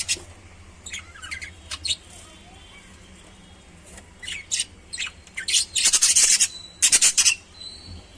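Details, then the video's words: Lovebirds giving shrill, high chirps: scattered short notes at first, then dense bursts of loud, harsh, rapid chirping toward the end, with quiet gaps between bursts and a low background hum. "Love birds sound"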